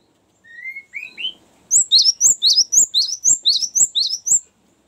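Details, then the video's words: Cinereous tit in a long trilled song used to lure and train birds: three rising whistles, then a steady run of about ten high, sharp two-part notes repeated roughly twice a second. "ngerol panjang sangat bagus untuk pancingan gelatik batu dan masteran"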